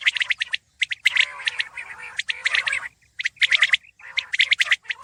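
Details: Common quail giving rapid, sharp, chirping notes in quick groups of three or four, repeated about once a second, with brief gaps of silence between bursts and nothing else clearly heard.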